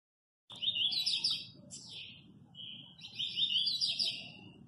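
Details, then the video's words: Double-collared seedeater from Guarujá, a very fast 'velocista' style singer kept by a friend, delivers rapid high buzzy-whistled phrases after a brief silence, a short pause, then another quick burst of chattering notes. "Coleiro velocista fenômeno do Guarujá"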